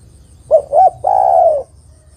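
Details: Spotted dove female calling the male: a crisp coo-coo-crooo phrase, two short notes and then a long, slowly falling coo, clear and close against quiet surroundings.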